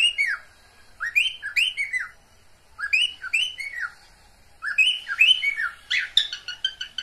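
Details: Mating call of pet cockatiels, paired arching whistles repeated in three groups, ending in a rapid stutter of short clicking notes.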